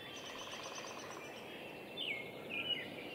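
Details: Downy Woodpecker drumming at Roberts Bird Sanctuary, Minnesota: a faint, even roll lasting about a second, then two sharp, high, down-slurred chirps over a steady background hiss.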